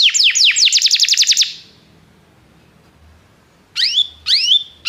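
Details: Belgian canary singing, a canary meant to stimulate other canaries to sing: a fast trill of about ten descending whistled notes, a pause, then two sweeping upward notes ending in steady tones.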